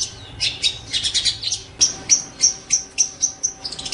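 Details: Long-tailed shrike (pentet or cendet) in a training song for songbirds. Buzzy high chatter gives way to a run of about seven sharp, clear whistled notes repeated evenly, then a quick flourish.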